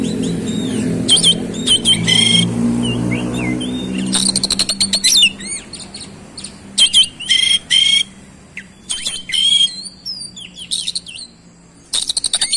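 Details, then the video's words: Kacer, the oriental magpie-robin, in energetic 'roll speed' song revealing its learned 'isian' phrases: repeated sharp whistles, quick rattling trills and descending slurred notes separated by brief pauses, with a low rumble early on. "KACER SUPER GACOR ROLL SPEED BONGKAR ISIAN"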